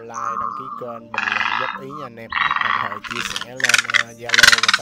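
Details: Large and small egrets, male and female, calling their flock for trapping. The call is a hoarse nasal croak followed by several loud, rasping squawks that grow stronger toward the end, all set against background music.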